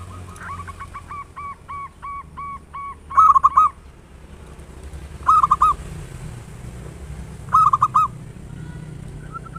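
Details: Local zebra dove singing as a lure for other doves: a soft run of even notes, then three loud, ringing bursts of cooing spaced about two seconds apart over low hum.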